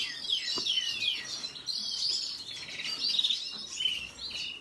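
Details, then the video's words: Red siskin warbling: thin high whistles and twittering chirps run together, with a short buzzy patch in the middle, fairly continuous throughout. "سیسکنی سور سسكن فنزويلي احمر red siskin"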